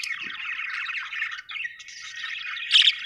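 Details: Continuous chattering of several budgerigars, a busy warble of scratchy chirps that ends in one loud, shrill squawk.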